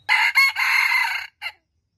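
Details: Red junglefowl, a wild jungle fowl, crowing once: two short clipped syllables lead into a long, harsh, sustained note lasting about a second, then a brief separate closing note, with near silence around it.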